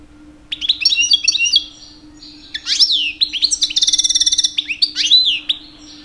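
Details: Two-year-old European goldfinch kept as a pet, singing to attract females in the mating season; lilting twittered phrases, upward-sweeping notes and a fast even trill in the middle, with short gaps between bursts.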